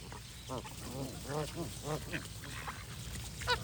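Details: A group of geese gives nasal, arched honks in quick clusters. Calls overlap over a low, constant rumble, with a sharper honk at the very end.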